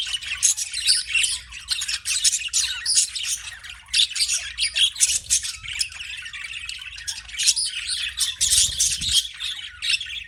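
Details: Budgie chirping in a constant, high, rasping chatter of squeaks and twitters, with a short low rumble late on and a faint hum underneath.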